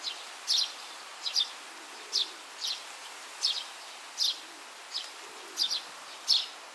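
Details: Juvenile Oriental greenfinch in grass, searching for food; short high chirps given singly or in pairs about every half second to second, over a steady hiss of background noise.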